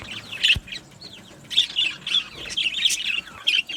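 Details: Budgie parakeets in a colony aviary giving bright, squeaky chirps and short warbled phrases in quick bursts, with a sharp click near the start.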